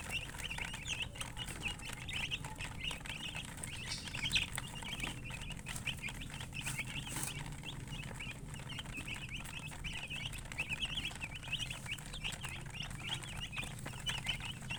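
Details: Coloured hen chickens (murgi) with a crowd of chicks cheeping nonstop: many high, short, slightly rising peeps packed together, steady throughout, over a constant low mechanical hum and occasional clicks.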